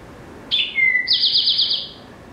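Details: Eastern Towhee song, remembered as 'drink your tea': a sharp note sliding down into a lower clear whistle, followed by a fast, buzzy, high trill lasting about a second, over a soft background hiss.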